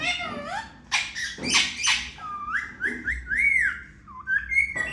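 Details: Indian ringneck parrot kept as a pet, mimicking words: harsh broadband squawks open, then a run of clear whistled, speech-like rising notes near the middle and end.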